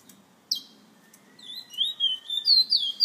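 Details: Short burst from a bullfinch owned within a San Fernando bird association: a sharp note, a pause, then rising whistled phrases building in loudness.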